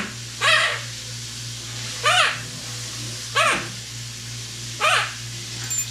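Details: Pet parrot imitating cat and dog sounds indoors, uttering four separate arched, whining meow-like calls roughly every 1.5 seconds, each rising then falling, above a steady low electrical hum.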